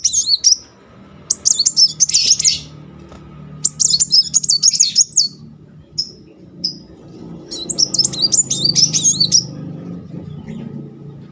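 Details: Sunbird, known locally as kolibri muncang, in a rolling lure song meant to provoke a silent bird into singing: bursts of thin, very high wavering twitters and trills in four phrases split by short pauses, over a faint low hum.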